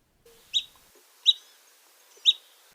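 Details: Hammond's Flycatcher giving its call, three sharp, high, clipped pip notes, roughly one every 0.8 seconds, over an otherwise quiet background; typical of mature western coniferous forests.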